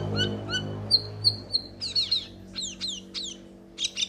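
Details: Metallic starling with paired high whistles, then a burst of buzzy notes and several sharply falling, slurred chirps, over a steady low hum.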